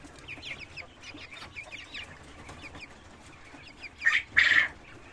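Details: Caged Cochin chickens and roosters on a farm: soft, scattered clucking from several birds, then two loud, harsh squawks near the end.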